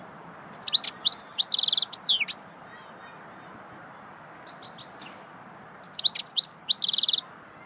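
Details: Goldfinch singing swittey style: two lively phrases of fast, high, liquid chirps and a buzzy trill, about two seconds each, with a long quiet pause between them.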